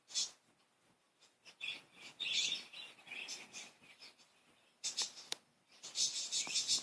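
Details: Playful, cheerful budgerigars kept as pets give bursts of high, bright chirps and twittering notes, clustered in short bouts with quiet gaps, then a denser run of chatter at the end.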